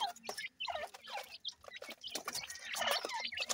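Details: Baby grey francolins calling together: rapid, high, slightly rising chirps and short squeaky notes pile up and overlap, growing busier and louder toward the end.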